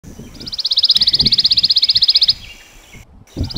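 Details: A Pine Warbler at a feeder in the North Florida Panhandle, with recorded Pine Warbler calls playing: one even, musical trill of about thirty quick notes on one high pitch, nearly two seconds long, over low rumble and a brief clunk.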